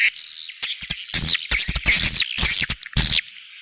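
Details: Edible-nest swiftlet 'outside sound' (เสียงนอก) for bird's-nest houses: a short, dense burst of piercing, buzzy chirps and downslurred squeaks separated by brief clicks.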